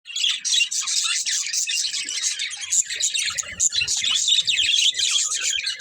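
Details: Several budgies chatter together in a continuous, dense stream of high, scratchy chirps and warbles, with no pauses over six seconds.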